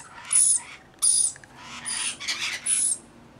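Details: Rainbow lorikeets, part of a flock of about 40 looking after a single baby. Four or five drawn-out harsh screeches, each with a high whistled streak, run almost back to back.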